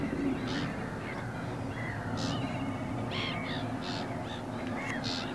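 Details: Eurasian coot pair with young chicks being fed; scattered brief arched calls and soft squeaks, some breathy, spaced irregularly over continuous low background noise.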